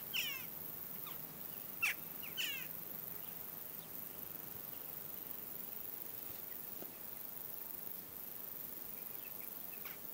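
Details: Western jackdaws calling as a flock before a storm: a few short, sharp harmonic chack notes in the first three seconds, then sparse fainter calls over a steady background hiss.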